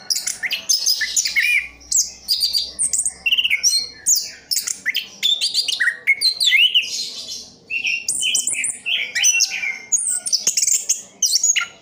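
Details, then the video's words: Orange-headed thrush kept as a pet, singing a long, varied stream of quick twittering notes, clear whistles and rasping fragments in bursts of about a second, with a faint low hum beneath. "Anis kembang "Anti Gempa". Rooll full"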